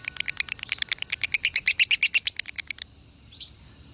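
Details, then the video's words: Lovebird from Salatiga, Indonesia, in konslet style, a tutor recording for training other birds, with a contest score of 8400 points: rapid, sharp, high chirps repeated in a fast trill for about three seconds, then near silence with one faint note. "Masteran Lovebird Konslet ASLI"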